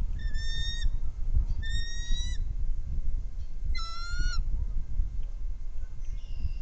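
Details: Nest camera catches a bald eagle from a trio calling: three separate bursts of high, clear piping chirps, the last slightly rising, set against a steady low rumble of wind.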